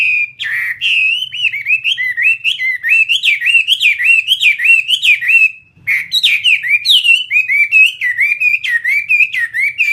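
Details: Chinese hwamei kept as a caged fighting bird, singing long phrases of loud, ringing, wavy whistles that rise and dip repeatedly, briefly pausing once before continuing in the same lively pattern.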